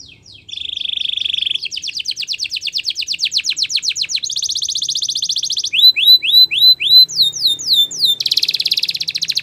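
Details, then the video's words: Spanish Timbrado canary training song in rapid phrases: a steady buzzy trill, a long series of fast sweeping notes, a dense rattle, rising whistled slurs, and falling metallic strokes, about 214 notes per minute. "Canary Singing Champion !! Spanish Timbrado Song"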